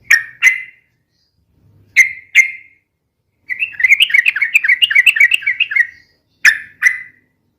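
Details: Sooty-headed bulbul in busy ropel-style song: paired sharp upslurred notes, a bubbling rapid warbled run of about two and a half seconds, then another pair of sharp notes; quiet background.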